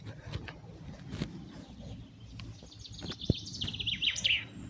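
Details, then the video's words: Common chaffinch outdoors giving a few short, sharp, high "tic" notes near the end, over low outdoor rumble and a man talking. "Il y a un pinson des arbres, là on l'entend bien, vous entendez le tic."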